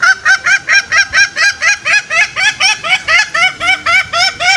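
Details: Green junglefowl call used as a lure to bring wild males out for snaring; crisp, nasal, rising-falling honks repeated in a regular rapid rhythm, about two per second, with little background sound.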